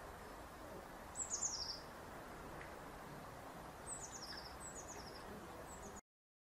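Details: Eurasian Blue Tit song in late winter: two brief phrases of fine, very high notes slipping lower, over steady low outdoor hiss.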